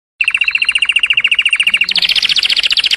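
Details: Canary singing: a loud, even rolling trill of rapid pulsed notes for about two seconds, then a shift to a higher, brighter, faster trill.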